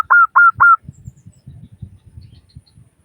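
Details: Local Zebra Dove lure call for prompting other doves to sing. Three loud, clear, mid-pitched cooing notes come in quick succession, then faint low rumbling and knocking fills the rest.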